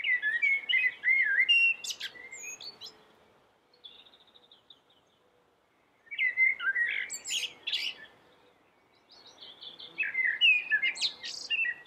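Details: Common blackbird singing three separate bursts a few seconds apart, each opening with rich fluted warbles and closing in squeaky high-pitched twitters, with brief silences between.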